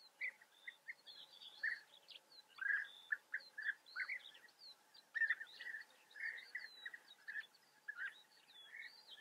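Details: European bee-eaters in Germany's Eifel region giving many short, purring, trilled calls in quick succession, several birds overlapping, with higher thin chirps and faint whistles above and a constant faint hum underneath.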